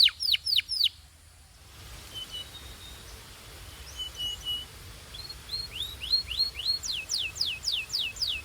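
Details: Singing canary in Belgian style: a short burst of loud descending whistles, a quiet pause with faint distant notes, then a rising series of sliding whistled sweeps.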